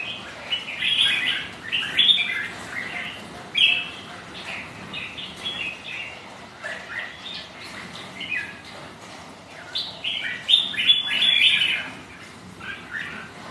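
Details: Red-whiskered bulbuls, rival birds sparring with each other on a rainy, windy day; bursts of bright, warbling whistled phrases come in quick irregular succession, several notes a second, rising and falling, with soft pauses between flurries.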